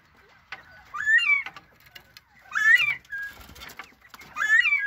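Northern bobwhite giving three bursts of slurred, warbling chatter, each under a second and spaced about two seconds apart, with soft clucks and faint background noise between.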